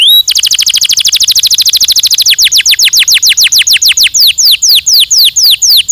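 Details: Canary singing stimulating song, a very rapid rolling trill of dense notes that shifts into slower, louder descending whistles repeated several times per second.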